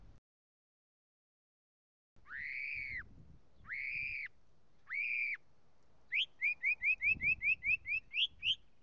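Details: Northern mockingbird song: three long, steady, slightly arched whistles about a second apart, followed by a rapid series of about a dozen short, bright repeated notes, with light low rumble behind.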